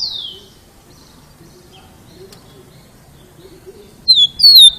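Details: Rufous-collared sparrow singing loudly to prompt other tico-ticos to learn to sing: one falling whistle, a quiet stretch, then two loud, high, wavering whistled notes closing the phrase.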